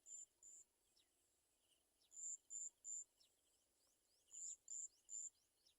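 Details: Olive-backed sunbird mother with small fallen chicks that cannot eat; very high, thin, steady notes in pairs and triplets, with fainter downslurred chips in between.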